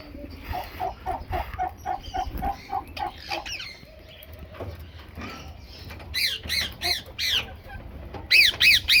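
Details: Feeding on mixed food, a rose-ringed parakeet utters loud, rasping, arched screeches in rapid bursts after a run of short, low pulsed notes. The screeches come several to a burst near the end, with quieter rustling between.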